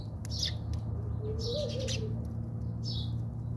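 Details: Fighting house sparrows in a South African backyard give three short bursts of high chirping, separated by pauses, over a continuous low mechanical hum.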